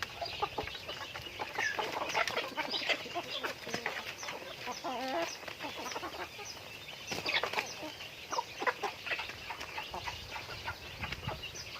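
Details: Chickens in their daily routine, steady clucking and murmuring from a group, rising in busy bursts, low background hum underneath.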